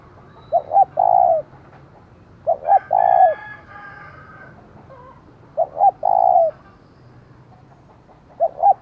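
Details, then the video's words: Decoy spotted dove in the giọng thổ style, calling to provoke wild doves. Phrases of two brief coos and a drawn-out coo recur roughly every 2.5 seconds, with a rooster crowing behind them. "Chim Cu Mồi, tiếng thúc vang cả xóm mở lên kích bổi hiệu quả"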